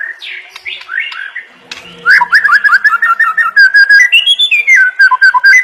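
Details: White-rumped shama (murai batu) masteran song for training songbirds: varied whistled notes, a fast run of repeated slurred notes, then rising and falling clear whistles, loud and continuous in the second half.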